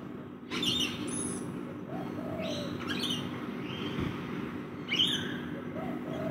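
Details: Several rainbow lorikeets feeding in a backyard make three loud, rasping screech bursts about two seconds apart, mixed with short chirps and thin rising notes over a constant low background drone.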